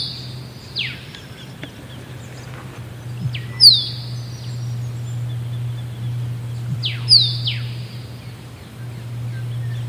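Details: Two musk duck calls about three and a half seconds apart, each a soft low plonk leading into a bright whistle that falls in pitch, against a constant low droning background.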